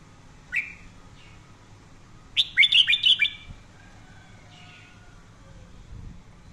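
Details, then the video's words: Red-whiskered bulbul in daily voice-training, singing in a fiery "căng lửa" style: a lone sharp upslurred chirp, then a quick burst of five or six bright, clipped whistled notes around two seconds in, trailing off into softer fainter notes against a low hum. "luyện giọng chào mào hót hay căng lửa mỗi ngày"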